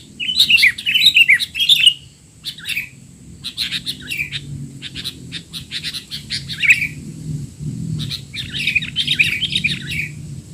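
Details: Sooty-headed bulbul giving loud 'teler' chatter as tutor sound for young bulbuls: an opening flurry of squeaky whistled notes, then repeated quick chirp series and another squeaky burst, over low background rumble.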